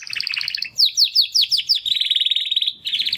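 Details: Young male Timbrado canary practising song after first molt: a rolling trill, a run of repeated descending sweeps, then a steady rapid trill and a brief final burst.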